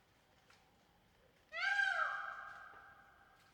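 An Indian peafowl gives one loud, nasal, wailing call that lasts over a second, starts abruptly and slides slightly downward as it fades. The background is otherwise quiet.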